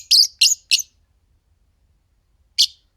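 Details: Green Fischer's lovebird pair chirping: three quick, harsh, high-pitched chirps in a row, a pause of nearly two seconds, then one more sharp chirp in otherwise quiet surroundings.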